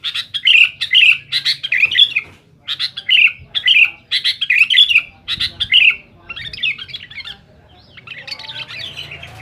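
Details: Sooty-headed bulbul calling loudly to challenge rivals, a dense run of harsh chattering chirps and slurred whistled notes for several seconds, then fading into softer scratchy notes.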